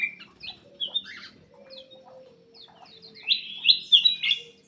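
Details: Black-crested bulbul singing vigorously, used to prompt quiet birds to sing: short clear whistled notes, then a loud run of rising, warbled phrases near the end, with a faint low hum underneath.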